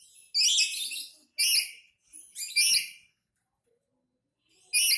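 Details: Angry pet black-capped lory screeching: four harsh, broadband squawks roughly every second or two, each buzzy and grating, with a short silent gap before the last one.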